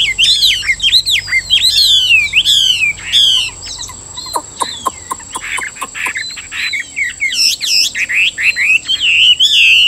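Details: Caged Chinese hwamei in Vietnam singing loud, varied whistled phrases, rising and falling slurs and rapid repeated notes, with a fast series of sharp clicks in the middle; a steady high electronic tone runs throughout.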